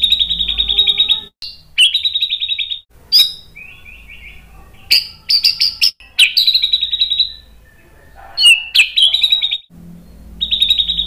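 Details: White-rumped shama song used as a lure to provoke other shamas to sing: loud, fast buzzy trills at a high steady pitch broken by sharp upward whistles and varied flourishes, with pauses between phrases and a faint low hum.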